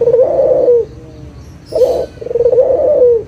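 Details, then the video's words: Barbary dove, a local bird, cooing as a lure for doves that have stopped calling: a long rolling coo, a pause, then a short note running straight into another drawn-out coo. "SUARA PIKAT PUTER LOKAL GACOR_SUARA PANCINGAN BURUNG PUTER MALAS BUNYI AGAR BUNYI LAGI"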